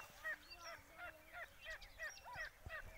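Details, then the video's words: Grey francolin during a fierce fight between three wild francolins and a pet one: loud ringing notes with a strong harmonic, repeated about three times a second in an uneven rhythm, with a low hum and faint chirps behind. "teetar ki aawaz"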